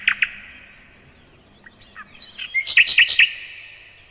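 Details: In May, a nightingale sings a few sharp chirps, then a quick run of bright, high, rattling notes, about four in half a second.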